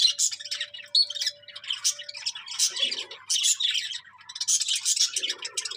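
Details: Budgerigar flock chatter: bright, high-pitched squeaks and scratchy warbles in quick clusters, broken by a couple of short lulls.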